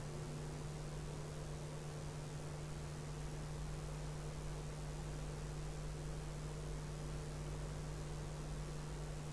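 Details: Unbroken hiss with a continuous low hum and no distinct events.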